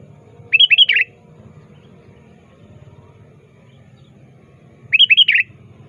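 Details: Sooty-headed bulbul calling a rival, active and lively, used as a lure: two quick phrases of four or five bubbly warbled notes, about four seconds apart, with silence and a faint low hum between.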